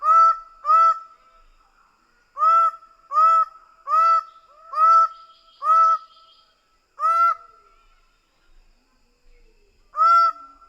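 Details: Greater bird-of-paradise (Paradisaea apoda) giving loud, nasal, honking notes, some paired and some in runs of four, about ten over ten seconds, with a faint steady whine between them.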